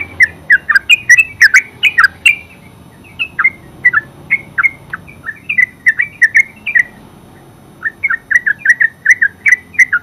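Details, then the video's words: Extended 'ngeropel' song of the yellow-vented bulbul (terucuk): continuous, fast, bubbling liquid phrases with rich chattering notes, one short pause midway, then renewed energetic singing. "Terucuk full suara ngeropel"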